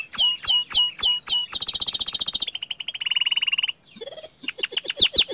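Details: A young canary delivers a lively song of repeated falling chirps, a rapid high trill, a lower rolling buzz, then quick rising and falling notes after a brief pause.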